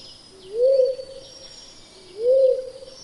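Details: Pink-headed fruit dove (Ptilinopus porphyreus) giving two low, soft, cooing hoots that swell and rise slightly, about two seconds apart, over a faint high insect hiss.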